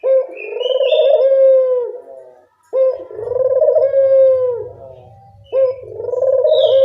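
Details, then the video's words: Barbary dove cooing as a lure sound to attract birds: three long, rolling coos of about two seconds each, separated by short pauses, with a low steady hum under the later coos. "Pancingan burung puter"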